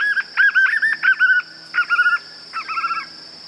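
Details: White-eared puffbird giving clusters of wavering, rolling whistled notes in three or four bursts separated by short pauses, the last burst a fast even trill, against a steady high-pitched insect drone.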